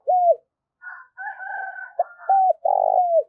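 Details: Calling decoy spotted dove luring wild birds: a short coo comes first, then higher, thinner notes from another bird overlap, and it ends with a clipped coo and a long, rolling, descending coo.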